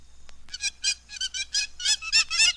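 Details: Hamerkop in Africa giving its distinctive call: a series of harsh, nasal, harmonic notes repeated in quick succession, growing louder and more crowded toward the end.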